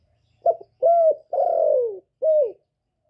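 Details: Spotted dove with a 'thổ' style voice, calling to stimulate males. Four low cooing notes: a short note, a steady level coo, a long coo that slides downward, then a short falling coo. Quiet, clean background.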